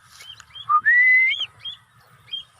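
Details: Cockatiel during free flight giving a clear rising whistle that levels into a long sustained note, with short chirps before and after.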